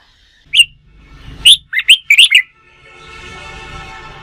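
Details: Red-whiskered bulbul being trained to sing for contests, giving an upslurred note and a short series of five clear whistled chirps, followed by a steady background hum.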